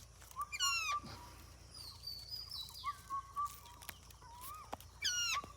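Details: An Indian ringneck parakeet talking. Scattered harmonic, speech-like syllables and falling and rising whistled tones come in short bursts, with clicks and a quiet hiss between them.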